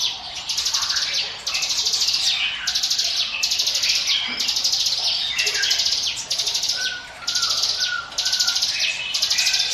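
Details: Bar-winged prinia (ciblek gunung), a song for luring other birds: high, buzzy, trilled phrases repeated about once a second. Softer whistled notes sit between them, over a low background hiss.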